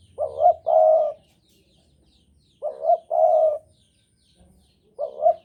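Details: Spotted dove from Java in heightened breeding condition sings a deep, gentle two-part coo three times, roughly every two and a half seconds. A wavering opening note is followed by a longer flat one, and the background is quiet.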